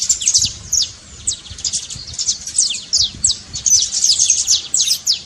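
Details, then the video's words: Saffron finch singing a trincado, a trilled song meant to stir a quiet bird into singing: dense bursts of high, thin, downward-slurred notes, tumbling rapidly with brief dips between phrases. "trincado pra foguea seu canário frio"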